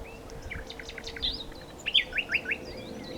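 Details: Short nightingale phrase of soft notes leading into a few loud, looping repeated notes spaced about every fifth of a second.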